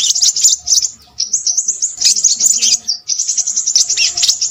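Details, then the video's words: Noisy crimson sunbird song in high, rapid twittering phrases. There are two brief gaps, and some notes are drawn out as thin whistles that rise and fall. "burung sepahraja ribut"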